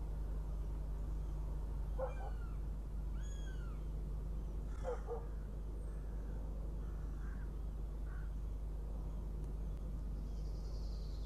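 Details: Latvian northern goshawk hawklet at a Riga nest, live-streamed at breakfast time on the morning of 23 June 2017. Short stacked double notes repeat at about two and five seconds, with descending whistled slurs from other birds and a constant low drone.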